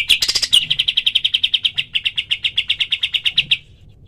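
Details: Pied triller delivering its rapid tembakan call, recorded as a training recording for other birds: a rough opening burst, then around twenty-five crisp, evenly spaced chirps in quick succession that end abruptly.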